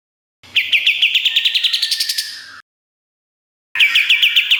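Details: Pied triller song, a master recording for training songbirds: a fast series of about fifteen sharp chirped notes near 3k, rising slightly, then a pause and another rapid chirping burst.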